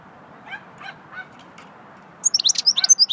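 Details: Goldfinch in swittey song: a few soft, lower notes, then a sudden burst of sharp, high, rapid twittering chirps.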